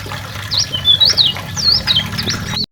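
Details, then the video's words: High-pitched white-eye twittering, Lombok and Karimun types, recorded as a tutor for training songbirds: a short chain of bright, swooping up-and-down whistles over low steady hum, cutting off abruptly. "Masteran kecial lombok kecial karimun"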